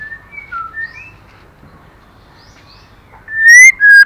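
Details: Quiet scattered whistles give way to a loud, pure, slightly rising whistled note and a second clear whistle from a female white-rumped shama stimulating the male.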